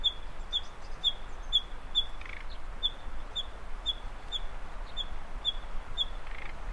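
Common nightingale repeating a short, clear, high note about twice a second, with two lower rasping notes mixed in, over a steady low rumble.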